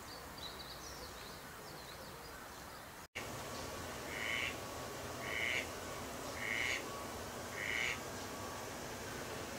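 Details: Eurasian teal gives four short nasal calls about every 1.2 seconds, all at the same pitch. Faint thin whistles come first, over steady low outdoor noise with a brief break in the recording.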